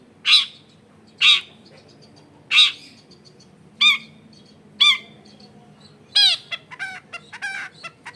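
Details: Long-tailed shrike used as a lure for other shrikes, recorded at home among dense housing: loud rasping notes about a second apart, then quick squeaky twittering phrases toward the end.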